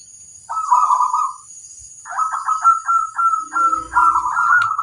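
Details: Local zebra dove giving its master song to draw replies from other doves: a purring trill followed by a longer run of rolling, stuttering coos, with a low rumble near the end.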